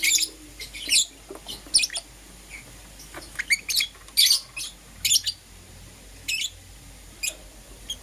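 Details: Lovebirds, Euwing green opaline and lutino colour varieties, in the morning: sharp, shrill high chirps in short bursts, scattered irregularly about once a second, with quiet gaps between and a faint low hum beneath.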